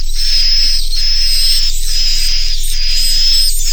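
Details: Edible-nest swiftlet lure call of the Naga Mas inap style, used by swiftlet farmers to make young swiftlets roost; buzzy chirps with a thin high whistle, in long even bursts about every second, with steady background hiss.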